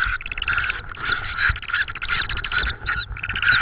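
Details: Tawny owl at a nest in Estonia, evening of 18 May 2013 around 20:56, with prey brought at 21:54; dense, rapid raspy chattering bursts run almost continuously over a steady faint tone and low rumble.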